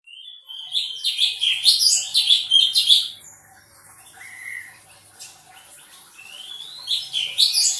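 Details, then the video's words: Sooty-headed bulbul singing actively: a fast run of bright, chirpy, up-and-down notes for about two seconds, then quieter gaps, a short level whistle, and a rising whistled phrase near the end. "Cungkok Gacor"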